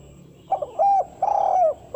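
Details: Part of a spotted dove phrase from a calling recording for luring wild doves: stuttering lead notes, a steady mellow hoot, then a long tremulous coo that slides downward at the end.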